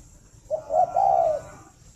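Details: A single low, soft coo phrase from a captive spotted dove at a breeding farm in Ba Vì, Hanoi, Vietnam, in the morning: brief stuttered start swelling into a smooth, sustained rolling note about a second long.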